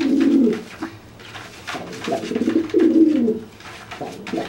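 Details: Pigeon threatening a freshly bathed, flightless wet pigeon, making itself look bigger; two low throaty coo phrases, the second longer, separated by a quiet gap with light tapping noises.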